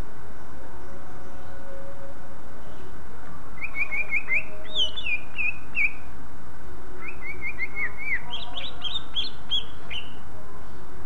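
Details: Greater green leafbird (cucak ijo) song, said to get other leafbirds singing: two phrases, each a string of rapid, even chirps that climbs into higher, looping whistled notes, against a constant low rumble.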